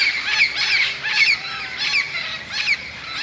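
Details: Tens of parrots gather in large bamboo beside St Andrew's Golf Course, Moka, Trinidad, around 5 pm to settle for the night. Harsh, raspy, high-pitched squawks overlap about once or twice a second.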